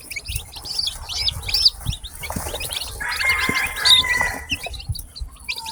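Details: Chirping from newly hatched chicken chicks on a farm. Thin, high peeps repeat quickly throughout, and a brief sustained tone rises among them near the middle.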